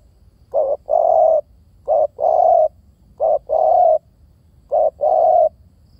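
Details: A spotted dove repeats a soft two-part coo four times, roughly every one and a half seconds: a brief note, then a longer, steady, hollow coo, with no other sounds.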